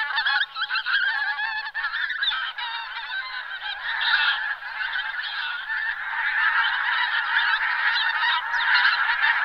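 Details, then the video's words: A flock of pink-footed geese (Anser brachyrhynchus) calls continuously in a dense overlapping chorus of high, nasal honks and yelping 'wink-wink' notes, with no pause. "Pink-footed Goose / Anser brachyrhynchus"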